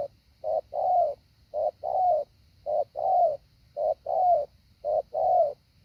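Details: Decoy spotted dove rehearsing the 'hạ bổi' pattern. Regular pairs of soft low coos, brief then sustained, about four pairs in six seconds, with a thin constant background hum.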